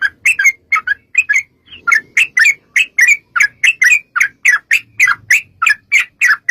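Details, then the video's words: Sooty-headed bulbul giving 'ropel panjang', a long rapid song style played as a lure to set bulbuls singing. Brisk, evenly spaced bubbly notes follow each other without pause, with a brief hesitation early on. "trucukan gacor TARUNG ROPEL PANJANG pancingan trucukan agar bunyi jadikan burung trucuk gacor NYAUT"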